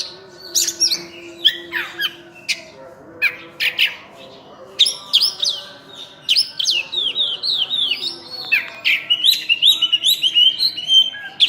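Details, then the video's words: Oriental magpie-robin, known in the village as burung cincim pala, singing: scattered sharp chips and scratchy notes, building into a long run of bright rising and falling whistled notes. "Kacer Full Isian"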